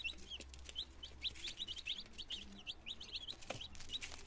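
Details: Second-day domestic chicks, nineteen in all, healthy, Germany, 17 September 2022, first attempts at feeding and drinking; bright, high peeps repeated in quick runs, several birds calling together, light tapping noises between.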